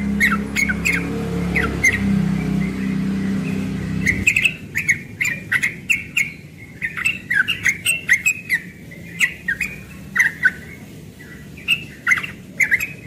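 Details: Young yellow-vented bulbul singing in the morning in the rapid, continuous ropel style: bubbly, warbled notes tumbling quickly, preceded by a low rumbling hum in the first four seconds, with sharp clicking ticks scattered throughout.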